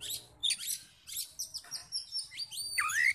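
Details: Oriental magpie-robin male in full fighting mode, singing to provoke other males: varied whistled phrases and harsh chattering notes broken by short pauses, ending with a clear rising whistled sweep.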